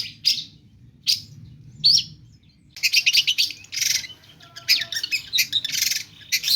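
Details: Long-tailed shrike opening with three spaced sharp calls, then breaking into a long harsh chattering stream of mimicked phrases with a faint steady whistle beneath.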